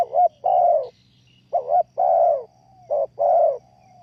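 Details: Spotted dove decoy for trapping, giving three cooing phrases in quick succession, each two short notes and an extended burry coo. Faint high chirps sound in the background.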